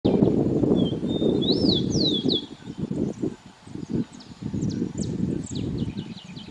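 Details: Rufous-collared sparrow singing in an urban setting at Lídice: a thin steady whistle, then rising-and-falling slurred arches and quick descending notes, over heavy low rumbling traffic-like noise, with faint high chirps later.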